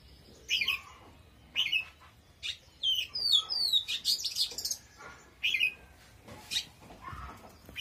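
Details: Oriental magpie-robin singing powerfully. Separate sharp chirps are broken by a rapid flurry of high, slurred whistles in the middle.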